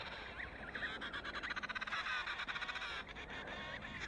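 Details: An Antarctic emperor penguin colony fills the air with a dense chorus of overlapping trumpeting calls, rapidly pulsed and warbling in mid-pitch, with no pause between voices.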